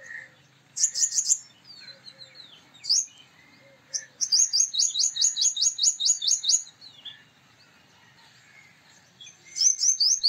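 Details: Male purple sunbird with sharp high bursts, then a long evenly paced series of ringing metallic upslurred notes, a quiet gap, and a closing burst.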